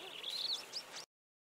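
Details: Levaillant's cisticola at Sedgefield, Garden Route, Western Cape, South Africa, giving a brief burst of thin, high chirps and slurred whistled notes lasting about a second, over faint background hiss.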